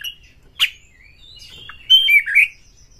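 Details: White-rumped shama singing to provoke other shamas: a short whistle and a harsh squawk-like burst, a quiet gap, then a loud rolling sequence of warbled whistles dipping downward.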